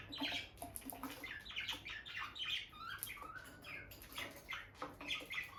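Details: Bonded pair of peach-faced lovebirds near their nest box, the female often going in and out; soft, rapid high chirps and twitters overlap continuously, fairly quiet throughout.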